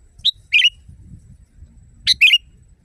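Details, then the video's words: Training song of a sooty-headed bulbul for caged birds, loud and wild-sounding: two paired phrases, a short piping note followed by a bubbling downslurred warble, about two seconds apart, over faint low background noise. "Masteran burung kutilang di tempat raja kutilang. Suara keras fulll alam"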